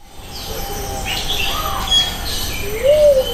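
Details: Luzon bleeding-heart at Jurong Bird Park, recorded on a Sony FDR-AX700 with a Rode VideoMic NTG: one soft, low, hollow coo that swells and then falls away near the end, over chirps and whistles of other birds and a steady hum.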